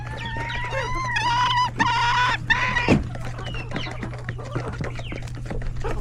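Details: Chickens with roosters and chicks crowd a coop at lunch time; a hen gives drawn-out, even, nasal calls for about three seconds, then scattered chick peeps and clucks, with a low hum throughout.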